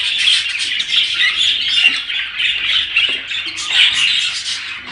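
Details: Breeding-stimulation sound of budgerigars: continuous busy warbling with raspy squawks and chirps, several birds calling at once and rising and falling in loudness.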